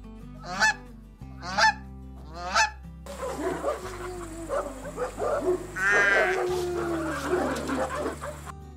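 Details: Domestic goose giving three loud, separate nasal honks about a second apart. A busier stretch follows with overlapping honking and cackling from several geese, all over a background musical accompaniment.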